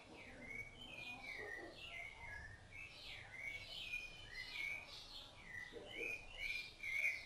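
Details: Rufous-bellied thrush bringing food to its chicks, singing an unbroken string of varied whistled notes, some slurred upward and some down, closely spaced and ending on a bright high phrase.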